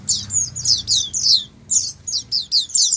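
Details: Many Oriental white-eyes singing together, used to coax silent caged white-eyes into answering and singing; high, thin twittering phrases in quick bursts, with a short pause midway before the chatter resumes.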